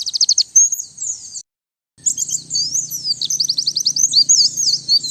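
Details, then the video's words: White-eye song used to lure birds and as a master song for training, in a clean recording. High, rapid twittering with fast repeated trilled notes and sliding whistles, a short pause, then a denser burst of chatter. "Suara Pikat dan Master Kicau Burung Pleci"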